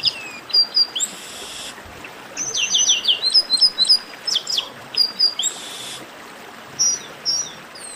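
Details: Chestnut-capped blackbird baderna for warming up singing birds: clear high whistled notes, a burst of steep descending chirps near three seconds, then paired short whistles spaced apart against light background hiss.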